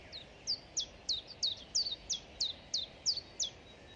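A Common Chiffchaff sings its steady chiff-chaff song: high, clipped notes alternating up and down, about three per second, over faint background hiss.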